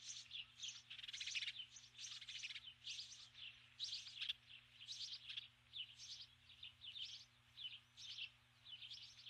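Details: A female osprey calls for her mate from the nest at dusk. Her loud, high whistled chirps come in dense bursts that trail into shorter, evenly spaced notes.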